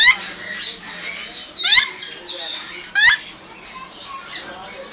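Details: Grey parrots, possibly a mating pair, at a pet shop in Bangalore, give three loud rising squawks about a second apart, between softer chattering and murmuring calls indoors.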